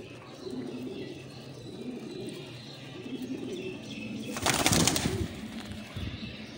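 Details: Many pigeons gathered together. Low, murmuring coos repeat in overlapping rolls throughout. About halfway through, a loud burst of wing flapping breaks in, and the soft cooing continues after it.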